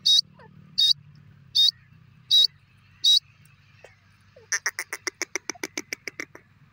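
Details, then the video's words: Francolin: five loud, clipped notes evenly spaced about 0.75 seconds apart, then a quick run of about fifteen shorter notes that speed up slightly and then stop. "teetar k agay teetar ki awaz"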